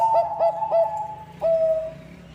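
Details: Bangkok zebra dove song used to attract other zebra doves: three quick ringing coos followed by one longer, slightly falling note, with a steady low hum behind.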